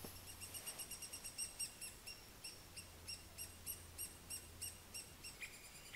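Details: Eurasian three-toed woodpecker (Picoides tridactylus) in Jyväskylä, Finland, gives soft, short, sharp call notes, several each second in an uneven series, over a faint low hum.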